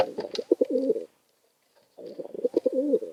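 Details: Pigeons bickering over room, cooing until one finally leaves; two bursts of low, throaty, rolling coos about a second apart, separated by a brief silence.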